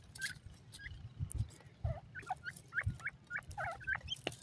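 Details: Male and female grey francolin trading clipped whistles that repeat quickly, with several notes swooping downward, set against a constant low droning hum and occasional thuds.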